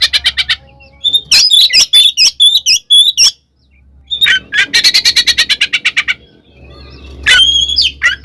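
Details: Oriental magpie-robin in a fighting song used to provoke other magpie-robins into aggression; loud, varied bursts of sharp whistles and harsh notes, with fast runs of rattling chips about eight per second and short silent gaps.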